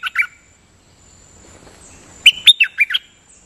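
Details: Nok dok taeng songbird, decoy recording, singing with frequent doubled phrases: two quick chirps, a pause, then five sharp whistled notes swooping between high and mid pitch, over faint background hiss.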